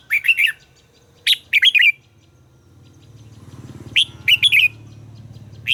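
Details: Red-whiskered bulbul in voice training, singing quick whistled phrases of three or four warbling notes, repeated after pauses of one to two seconds, with a low hum between phrases.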